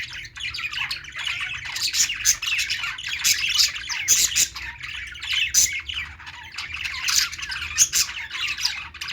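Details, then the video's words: A flock of budgies chattering as they play: unbroken scratchy warbling with frequent sharp clicks and short squawks scattered across nine seconds of overlapping voices. "budgies playing sounds"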